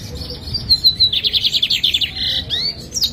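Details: Owned lined seedeater, the 'bigodinho pintor' of Jataúba, Pernambuco: high slurred whistles lead into a rapid run of clipped buzzy notes, then a flat buzz and upward-swept whistles, all steady and loud.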